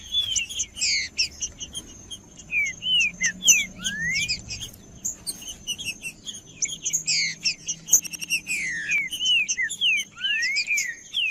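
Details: Male green-winged saltator singing to warm up other males: a rapid, lively run of whistled notes and rising and falling slurs, some phrases sweeping upward, delivered almost without pause over a quiet low rumble.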